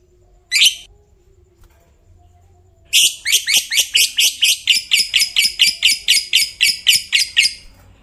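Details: Lovebird of the fighter type in a long ngekek trill that sets other lovebirds singing: one sharp chirp, a pause, then a fast run of about eighteen high, harsh, evenly spaced notes lasting over four seconds.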